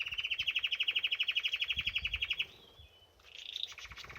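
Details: Canary singing while bathing: a fast, even trill of bright chirps repeated about four times per second for over two seconds, a short pause, then a higher, buzzier phrase.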